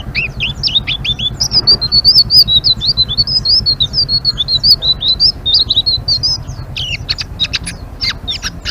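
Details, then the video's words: Energetic Blue-winged leafbird song in the chattering 'ngeriwik' style: a long, dense stream of high, rapid, slurred whistles and twitters for about seven seconds, ending in sharp clicks, over a faint low hum. "Suara Burung Selendang Biru Gacor❗❗ Ngeriwik"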